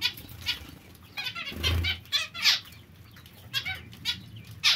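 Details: Caged zebra finches giving short, bright, nasal honks in quick irregular succession, some overlapping, over faint low rumble.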